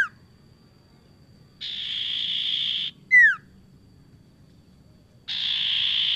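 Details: A Sunda scops owl calling actively, used as a lure: a single clear, downward-sliding hoot near three seconds, set between long steady bursts of hissing, insect-like buzz.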